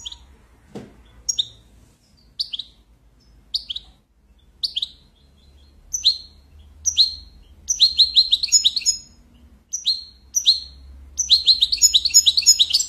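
A European goldfinch sings: high, bright chirps at first spaced about a second apart, building into rapid, tinkling twittered phrases. A soft low hum underneath.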